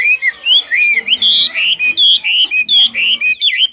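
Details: Chinese hwamei kept in a cage and described as singing very well with no faults, pouring out loud, clear whistled notes that swoop up and down in quick succession, about three per second.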